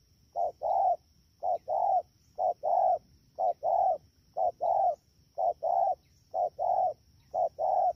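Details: Spotted dove, caught from the wild, calling at Đak Tô during the rainy season on 3 October 2019; a steady, quick run of about eight paired low coos, a short note then a fuller one, evenly spaced.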